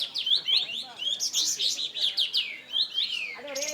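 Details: Caged bulbul (burung kapas tembak) in full, energetic song: rapid varied whistled and chattering phrases, many sweeping up and down, almost continuous; a man talks faintly in the background.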